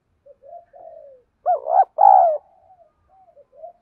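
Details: Spotted dove kept as a lure for rival wild doves: soft, low murmuring coos build into two loud, throaty phrases, the second a sustained mellow coo, then fade back to quiet scattered notes.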